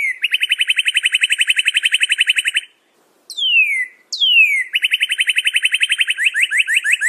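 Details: Northern cardinal: a rapid string of short repeated notes, a brief gap, two long descending whistles, then another quick series that slows into distinct slurred notes at the end.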